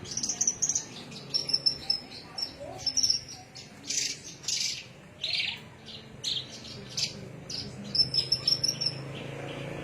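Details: Javan myna song from Cilacap, made of bursts of high whistles and harsh chirps in uneven clusters separated by short pauses, with a steady low background hum throughout.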